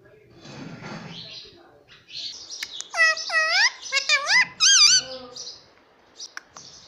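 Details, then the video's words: Indian ringneck parakeet, a pet indoors, talking and mimicking words such as "mommy" and "papa": breathy murmuring followed by a string of clear, bending whistled syllables rising and falling, ending with a few sharp squeaks. "Indian ringneck parrot talking everything || Mummy papa talking"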